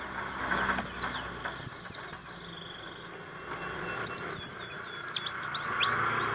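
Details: Javan grey-throated white-eye, a kept bird, giving materi-style song: a few short high sweeping chirps, a pause, then a faster run of thin descending whistled notes over low background hiss.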